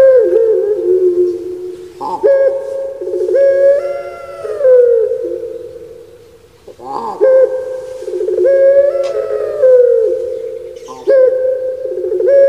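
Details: Puter pelung turtle doves, kept birds from Java, Indonesia, prized for their voice: long drawn, ringing coos with stepped pitch shifts and heavy echo, phrases restarting about every five seconds with brief pauses between.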